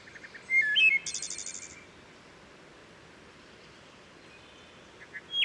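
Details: Wood Thrush at Herring Run stream, Maryland: quiet pip notes, a bright fluting phrase and a descending series of rapid high trilled notes, rich reverberation from the steep forested stream valley, another song starting at the end.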